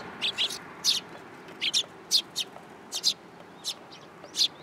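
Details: Sparrows landing on a person's hand at a Tenmangu shrine, 8 July 2022: short, bright chirps in irregular pairs and singles, about a dozen over under five seconds, with quiet background hiss.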